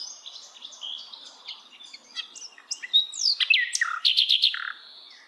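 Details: In wild forest, a Hill Blue Flycatcher builds from soft high twitters to loud whistled slurs and a short run of sharp repeated notes.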